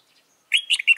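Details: A wild red-whiskered bulbul being trapped on 26 June 2018 gives a quick burst of bright, bubbly whistled notes, three short phrases in half a second after a brief silence.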